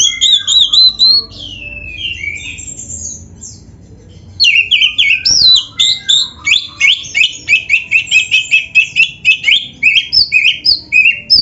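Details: White-rumped shama (kacer), lively caged bird with varied song used as a training master: whistled opening phrases, a short pause, then a long rapid run of repeated sharp, sweeping notes.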